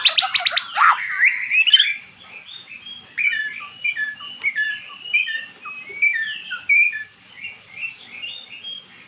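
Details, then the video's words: Magpie-robin coaxed into song by recorded calls of its kind: a harsh chattering burst opens, followed by a long run of soft, varied whistled notes and warbles. "Burung Murai jadi GACOR setelah dengar kicauan di YOUTUBE"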